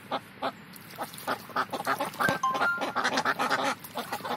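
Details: Indian Runner ducks having fun in the morning: a rapid run of short, nasal quacks, about three per second and uneven, with a few thin steady tones over the middle of the burst.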